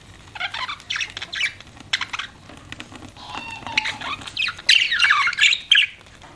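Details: Pet budgies keep up steady chattering: clicking, warbling and scratchy chirps pour out in irregular bursts, some whistled tones sliding through, building to louder rasping squawks near the end.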